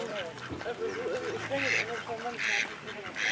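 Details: Fighting mallards (Anas platyrhynchos) at Walsrode, Germany, recorded 11-09-2011: nasal wavering quacks overlapping in quick succession, punctuated by harsh rasping bursts about once a second, with human voices murmuring in the background.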